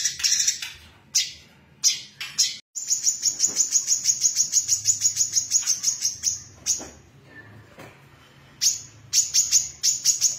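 A female brown-throated sunbird gives very high, thin chips that run into long rapid trills, pausing and restarting in quick bursts.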